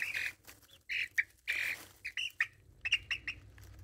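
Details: Four-and-a-half-week-old chicks, curious about a phone set down near them, give bursts of high, slightly harsh peeps and squeaky trills, several quick calls per second, with soft background rustling.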